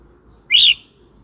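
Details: Brief Red-whiskered bulbul song, used to provoke new or old wild birds and teach chicks; a single loud, fluty whistled note rising then falling, over faint background murmur.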